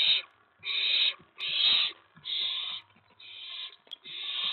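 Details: Owlet excited at a mouse delivery late on May 19, 2017, uttering a fast series of six breathy, hissing screeches, each under a second long. The calls come in quick succession with small taps between them.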